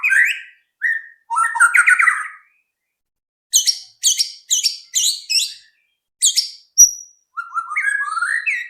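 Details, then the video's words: Lure song of a white-rumped shama to spur other birds to sing: slurred warbled phrases, then repeated short sharp buzzy notes, a click, and a closing run of rising whistles. "pancingan AMPUH murai batu agar cepat bunyi"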